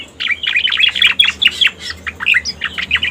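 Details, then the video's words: Striated grassbird lure calls: a rapid, chattering series of short chirps and slurred notes packed closely together throughout. "Suara Pikat Burung Cica Koreng"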